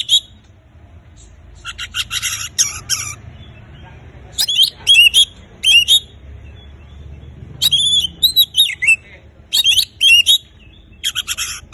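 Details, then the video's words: Kacer (Oriental magpie-robin) singing gacor to stir silent birds into song: harsh buzzy chatter bursts alternating with bright twisting whistles, delivered in irregular groups with short silences, over a low steady hum. "Kacer gacor terbaru paling ampuh untuk mengatasi Kacer bisu cepat bunyi"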